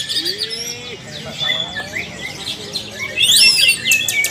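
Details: Cucak ijo, a leafbird, singing during group training in the energetic ngalas nembak style. Clear whistled slides and ringing notes are followed by a loud burst of sharp, high, rapidly repeated chirps near the end.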